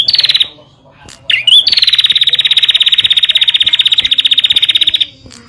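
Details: Bar-winged prinia song meant to prompt caged birds to sing: a brief trill, a pause, then an upslurred note leading into one long, rapid, buzzy trill lasting over three seconds.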